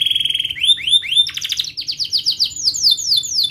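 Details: Rolling, sharp canary song used to teach young canaries: a high buzzy trill, rising whistled slurs, then rapid series of swept syllables stepping up in pitch.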